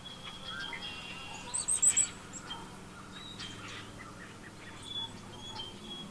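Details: A blue jay gives a quick burst of short, high, squeaky calls at the darkest point of the total solar eclipse, April 8, 2024, Pennsylvania, over dwindling honey bee buzzing and faint other birds.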